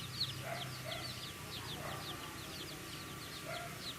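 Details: Chicks chirping as they feed: many high, quick, descending peeps blending into a busy chorus over a noisy, hissy background with a low rumble.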